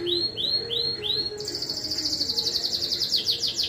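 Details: Domestic canary at a singing contest in Juiz de Fora, Brazil, gives four bright rising swoops, then a fast, high, rattling trill, over a faint low hum.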